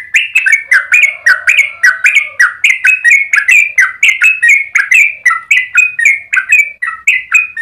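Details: Yellow-vented bulbul song for training and luring other bulbuls: fast, unbroken series of bubbly warbled whistles, about four notes per second, alternating higher and lower pitches, bright and loud throughout.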